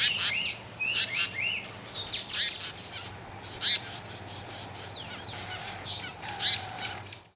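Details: African paradise flycatcher singing while breeding in a campsite at the Etosha Safari Lodge: bright high chirps and short buzzy bursts in irregular clusters, some rising notes, repeated through the recording.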